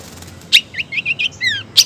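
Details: Brief burst from a female long-tailed shrike calling the male: a harsh rasp, a string of soft warbled notes, then a rising whistled note and another rasp.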